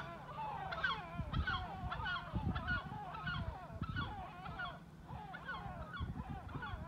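A flock of great black-backed gulls gives a din of deep, hoarse, overlapping calls, rising and falling almost without pause, over a low rumble of wind or surf.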